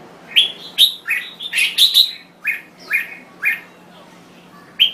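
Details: Thai red-whiskered bulbul in lively song, a rapid string of bright, bubbly chirped notes, some doubled, slowing into evenly spaced calls toward the end, with a low steady hum behind.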